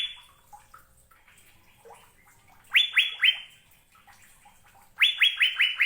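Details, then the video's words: Asian fairy-bluebird singing: after a quiet stretch of soft scattered notes, two loud bursts of sharp, liquid upslurred whistles, each burst three to five notes in quick succession, with faint chirps in the background. "Burung Cucak Biru"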